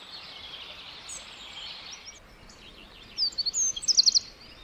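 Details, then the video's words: Wren in a forest gives a burst of very high, sharp chirping notes ending in a quick rattling trill, over a steady hiss of forest background. "A Bird (Wren) Chirping In The Forest"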